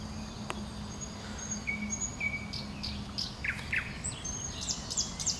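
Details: A common nightingale sings from bushes, giving several long, pure, level whistles one after another, then a few short bright notes and high chips toward the end, with a faint low hum throughout.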